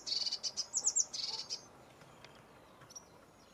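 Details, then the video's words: Lesser whitethroat uttering a quick sequence of high, buzzy notes with a few sharper, higher chips in the middle, the whole phrase about one and a half seconds, then near silence with soft distant notes. "Lesser whitethroat"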